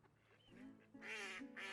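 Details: Mallards on a busy UK wetland path in summer give harsh, nasal quacks, two loud raspy bursts close together after a softer lead-in, with a low background hum.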